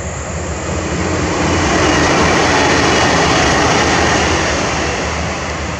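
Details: A loud, continuous roar of a passing train with rhythmic clattering of wheels on rails fills the whole recording, and no animal sound is audible.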